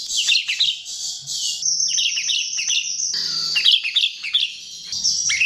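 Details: Chestnut-tailed starling lure song: repeated phrases of quick chirps and downslurred squeaks over a steady high whistle, the phrases coming in loose groups of three or four.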